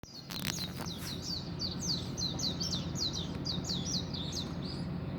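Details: Birds singing at dawn: a rapid series of high, sharply rising and falling chirps, several per second, over a steady low rumbling hum.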